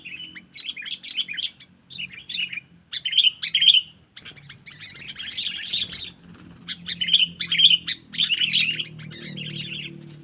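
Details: Sooty-headed bulbul sounding a lure call to attract wild birds, in the cengkeram style. Phrases of sharp chattering chirps repeat with short pauses over a low background hum, with one louder noisy patch midway.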